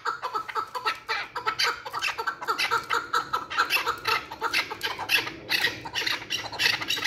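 Chukar partridge giving harsh, clucking chuck notes, several a second, running together into a steady chattering series with no pause.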